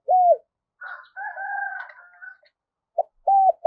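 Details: Spotted dove used as a decoy, calling to draw in wild doves. A low, arched coo opens, then fainter chirps and a drawn whistle from other birds, then a short clipped note and another hooting coo.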